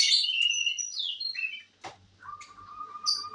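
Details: Canary song opening with loud, high whistled notes that slide downward, then a quick rattling trill, a brief gap, and a long, steady, lower-pitched whistled tone broken by a few sharp high chips.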